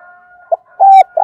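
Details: Brief fragment of a decoy spotted dove's loud song: a short clipped note followed by a strong, steady hollow coo and the start of a burry rolling note.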